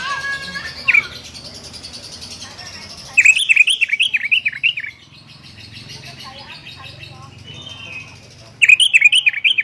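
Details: Sooty-headed bulbul, a lively caged bird calling to challenge a rival, natural voice without added sounds; bursts of bright wavering, rapidly warbled notes, about two seconds long, separated by quieter chirping and faint low hum.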